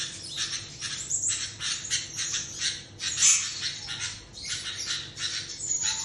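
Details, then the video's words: Sooty-headed bulbul whose call briefly resembles a duck: rapid rasping, harsh squawky notes in quick bursts throughout, over a steady low background hum. "burung kutilang sekilas macem suara bebek"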